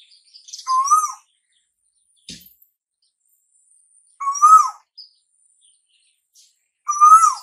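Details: Asian koel calling as summer arrives: three clear whistled notes, each rising slightly and then dipping at the close, separated by long silent gaps of about three seconds; a brief click and a faint high chirp are also heard.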